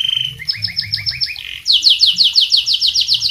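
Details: Canary song offered as a tutor for other birds. Paired chirps repeat at two pitches, then a quick slide leads into a loud run of high sweeping whistled notes.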